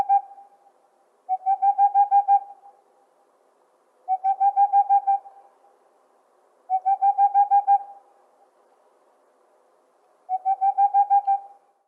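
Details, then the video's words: Boreal owl hooting in rapid staccato bursts of roughly eight soft, even-pitched notes, each run lasting about a second and repeated every two to three seconds, four runs in all, with a quiet background. "The sound of a boreal owl"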